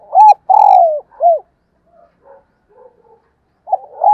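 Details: Spotted dove used as a decoy, cooing in the morning: an arched coo, a long descending coo and another rounded coo, then faint low murmurs, then a new phrase beginning at the end.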